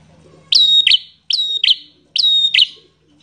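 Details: Bar-winged prinia, a wild visiting bird described as an emotional fighter in full song: three high, bright two-part whistled phrases, each a clear piping note followed by a sharp upward flick, spaced about a second apart.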